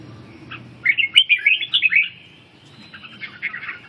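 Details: A red-whiskered bulbul being trained in ché singing and regaining stamina gives a short rapid phrase of about ten chirping notes, then a quieter, softer warble after a pause.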